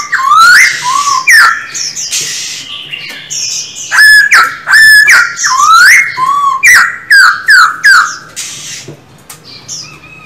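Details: Kept Black-throated laughingthrush practising its song pours out loud, varied whistles: sliding phrases, then short, sharply accented notes in rapid groups, ending in softer whistles.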